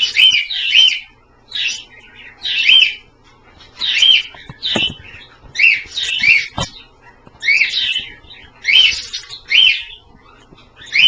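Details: Pet Australian parrots bathing in a shallow dish of water give bright, squeaky chirps in quick paired bursts, about once a second, high and slightly buzzy, with faint splashing behind.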